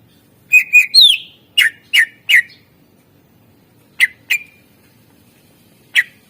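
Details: Greater green leafbird singing energetically with rich varied phrases, recorded for training birds: a quick chirping run into a swooping whistle, then a few sharp, separated chips spaced over several seconds in quiet surroundings.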